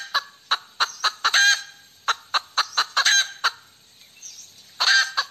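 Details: Female chicken giving a cackle, a series of abrupt staccato clucks at irregular spacing, rising into a longer grating squawk, then more quick clucks and a final loud, harsh drawn-out cry.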